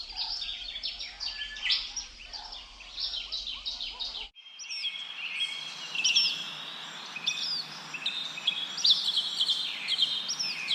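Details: Bird chirping with wind blowing through leaves: a thick chorus of sharp high chips, then an abrupt change to a steady high trill overlaid by loud down-slurred whistles and chirps.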